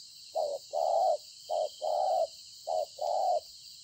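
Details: Wild-caught spotted dove recorded at Konlong on 26 September 2020, cooing well: three paired low hollow coos, a short note then a longer drawn-out one, repeated about once a second, over a steady high insect drone.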